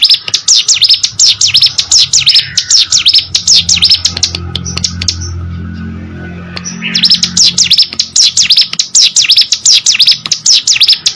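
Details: Hill prinia singing vigorously: rapid series of sharp, V-shaped high notes repeated in bursts, a pause of silence mid-way, then the chattering run resumes; low hum in the background.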